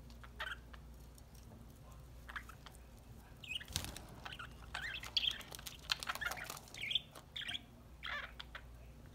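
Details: Budgerigars kept as pets, playing with a corn treat: scattered thin chirps and twittering notes, with a burst of wing flapping or rustling midway through.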